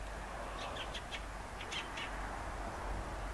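A Fieldfare gives two brief bursts of harsh, dry chattering notes about a second apart, over a steady low rumble of wind or distant traffic.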